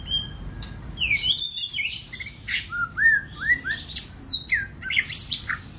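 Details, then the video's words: White-rumped shama phrases used to prompt other birds to sing many voices: a thin whistle, then repeated arching slurs and sharp high notes, with a few harsh chips. "Kích Chòe lửa hót nhiều giọng"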